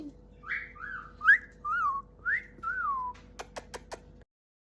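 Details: Talkative pet male galah (rose-breasted cockatoo) snuggling with its owner indoors: six clear whistled phrases, some rising and others slurring downward, followed by four sharp clicks.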